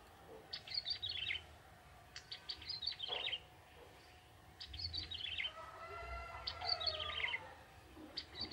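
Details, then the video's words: A young wild male bar-winged prinia sings briskly in forest, repeating four phrases of high, tumbling, descending chirps roughly every two seconds; a faint lower drawn-out whistle and background rumble accompany them. "Burung ciblek tebu jantan muda hutan gacor"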